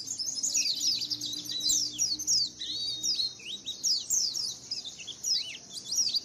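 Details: Lure recording of a white-eye colony, many birds twittering at once in high, rapid, slurred chirps and short whistled notes, steady chatter throughout.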